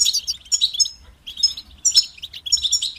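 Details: European goldfinch singing in high, tinkling twittered phrases: rapid liquid chirps and short trills in bursts, with brief pauses between, the loudest phrase near the two-second mark.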